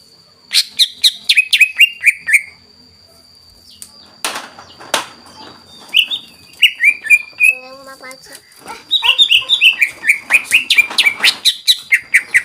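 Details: Greater green leafbird song used as a lure to raise other leafbirds' excitement: a quick burst of chirps and falling whistles, a quiet gap with a sharp noise, scattered notes, then another rapid rush of varied phrases.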